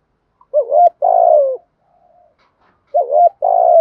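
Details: A decoy spotted dove (Spilopelia chinensis) coos to lure wild doves, low mellow coos: a short rising note then a longer, slightly falling one, the phrase repeated after a brief pause.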